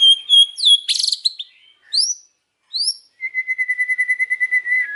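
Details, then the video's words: White-rumped shama singing in the afternoon: a few loud high whistles and a buzzy burst, upward-sweeping notes, then a steady run of rapid repeated notes near one pitch. "KICAUAN MURAI BATU SORE HARI"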